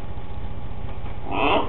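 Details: A pet green-winged macaw does its signature whoop with a person, giving a single short, harsh, loud whoop near the end, over a steady low rumble of background noise.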